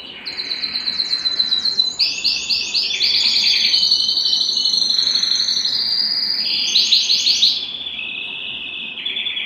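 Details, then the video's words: Domestic canary singing in an excited, mating state: alternating stepped trills that jump between higher and lower pitches, fast rolled notes throughout, with a pause before a final lower trill. "تغريد كناري هائج"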